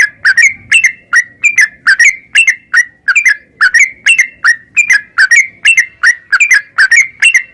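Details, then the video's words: Yellow-vented bulbul delivering a long run of ropel song used to prompt caged birds to sing; clear ringing notes in quick doubled bursts, steady and unbroken throughout, with a quiet background. "trucukan gacor NARUNG Ropel perangsan burung trucukan agar cepat bunyi dan gacor"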